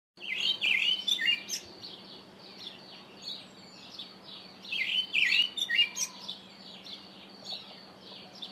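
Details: Karoo thrush (Turdus smithi), call.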